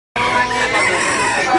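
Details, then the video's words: Red junglefowl hybrids crowing at a 'Sorok Bon' crowing competition in Felda Tenang, Terengganu: dense, overlapping crows fill the air without a break, several birds calling at once in a loud, continuous chorus. "Pertandingan suara kokok ayam hutan hybrid"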